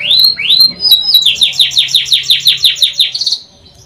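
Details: Canary song opening with two upward-sweeping whistles. About twelve quick descending notes follow in even rhythm, then a short rapid trill before the song breaks off.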